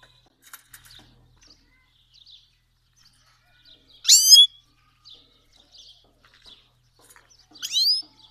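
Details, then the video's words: Himalayan goldfinch from Fars province, Iran, a Himalayan and black-headed cross, singing in near silence: two loud rising, buzzy, harmonic sweeps about four seconds apart, with faint scattered twittering notes between them. "Himalayan Goldfinch Singing"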